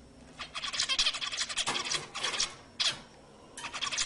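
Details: Zebra finch singing to prompt females to breed: rapid buzzy, rattling phrases in uneven bursts with short pauses, one brief separate note, then renewed chatter.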